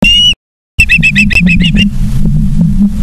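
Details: Osprey at a nest in Charlo, Montana, 09/03/2023 at 18:54, nest cam: one high chirp, a brief gap, then a quick burst of about eight harmonic chirps fading into steady low rumble.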